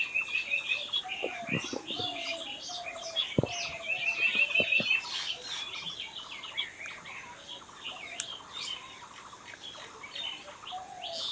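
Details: Outdoor dawn-like chorus of many birds, with fast dry rattling trills at first, then a long stretch of scattered high chirps, short whistles and twittering from several singers at once.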